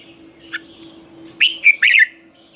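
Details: Red-whiskered bulbul singing a training song in the morning, a decoy recording for stimulating other bulbuls: after a faint note, a loud cluster of three rich, warbled whistled notes, with softer high bird calls behind.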